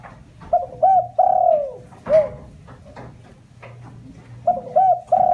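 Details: Lure coos of a spotted dove, used to provoke other doves. Two quick hoots lead into a long, sagging coo with a brief final note, and a new phrase starts near the end. Faint clicks sound in between.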